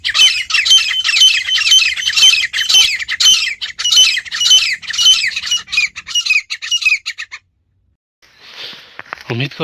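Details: Grey francolin (teetar) in a village: loud, piercing repeated phrases about two per second for seven seconds, then a pause and a man beginning to speak in Hindi.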